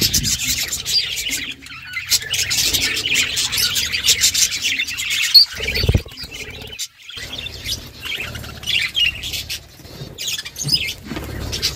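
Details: Budgies, a mother feeding her chicks, with buzzy, raspy chatter, dense in the first half. After a short quiet gap near seven seconds it turns to scattered chirps and squawks, along with occasional rubbing and knocking sounds.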